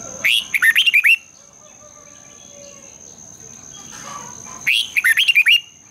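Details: Red-whiskered bulbul morning song in a long twisted double-voice style, used as a lure to spur other bulbuls to sing: two bursts of rapid, bright, warbled whistled notes about four seconds apart, with a steady high whine behind.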